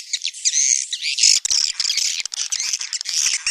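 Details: Swiftlet sound known as tarik langgeng. A dense, very high, squeaky twitter runs almost unbroken, with a few thin whistled notes near the start and clicking chatter later.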